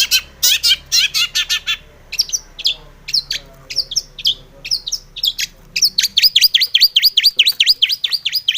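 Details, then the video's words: Long-tailed shrike pouring out a rich, varied song used as a lure to stir other shrikes into singing. Harsh rasping bursts lead into mixed chips, then a quick steady train of sharp repeated notes. A faint low hum runs underneath. "SUARA cendet gacor ARECARE pancingan cendet agar bunyi EMOSI"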